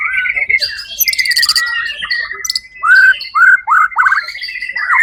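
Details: White-rumped shama at a songbird competition on 1 October 2023, where it placed first: a sustained whistle and buzzy rattle, then a series of loud, clear downslurred notes repeated about every half second.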